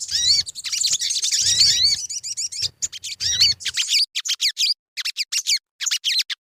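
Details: Sogon, or crimson sunbird, song used as a lure to provoke singing: dense, high, squeaky twittering with sharp upward-sweeping notes, then spaced, clipped chirps in small clusters, with faint low rumbling during the first half.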